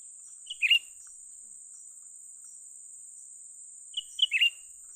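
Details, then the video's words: Young cucak ranting bulbul recorded while being lured for trapping: two quick whistled notes then a buzzy, falling chattered note, the phrase given twice about four seconds apart over a steady high insect drone. "memikat burung cucak ranting muda mantap"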